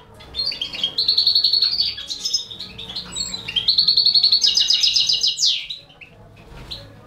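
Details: Rapid repeated high notes, almost a trill, in two sustained runs, ending in a sharp buzzy sweep as a Balkan goldfinch feeds four baby canaries.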